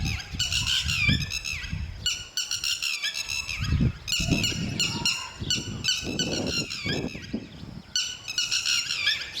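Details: Lapwing pair guarding their chicks until the young can fly. Loud, harsh, ringing call phrases come in quick bursts, with short gaps between bursts, over low rumbling noise.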